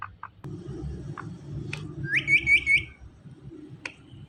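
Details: A talking Indian ringneck parrot makes a short, bright, rolling whistle of four quick repeated notes, lasting under a second. Faint soft clicks come before it, over low indoor hum.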